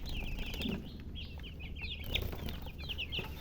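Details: Young chicks give rapid high peeps in scattered clusters, with brief rustling or flapping noises and a low hum beneath.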